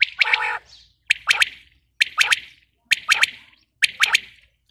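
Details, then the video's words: Female common quail (batair) repeating a clear phrase of two or three sharp notes at steady one-second intervals, the first phrase mixed with a buzzy note. "female quail sound"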